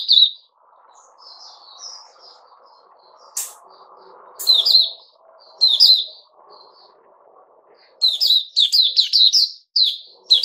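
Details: Captive Puteh Raja bulbul on a fruit juice and mealworm combination, dated 08-05-2021: soft scattered notes, one sharp click, then an increasingly rapid run of bright chirpy warbled notes toward the end.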